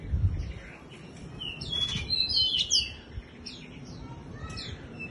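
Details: Bush lark doing its wing-fluttering display, singing like a skylark: thin whistled and chirped notes, some sliding, cluster in the middle of the clip over a low background rumble.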